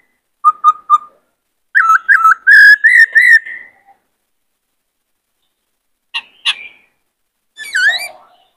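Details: White-cheeked laughingthrush in varied song, used for training young birds and firing up males to sing and dance. Three short whistles, a warbling run of rising whistled notes, then scattered sharp calls and a swooping phrase.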